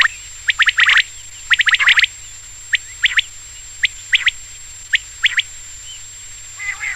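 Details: Quail (batair) singing at night: sharp chirping notes in clusters of two or three, spaced irregularly about once a second, over a steady faint high electronic tone.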